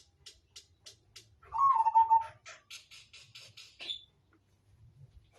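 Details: Zebra dove of the Majapahit type coos once, a beaded phrase sliding slightly down. A steady series of sharp clicking taps runs through the recording, ending with a short high squeak.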